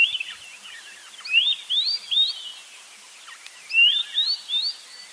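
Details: White-browed scrub robin repeating a phrase of three upslurred, rising whistles, given twice, over a hissy background.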